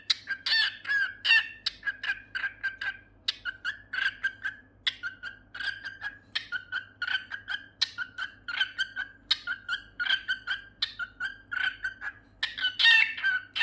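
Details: A pet cockatiel named Kukkie sings a run of bright, chattering whistles and warbles with short breaks between phrases.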